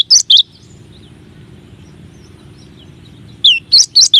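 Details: Cinereous tit (gelatik wingko or gelatik batu) masteran song, one of nine variations: two sharp chirps, a long quiet stretch with low hum, then four more bright chirped notes.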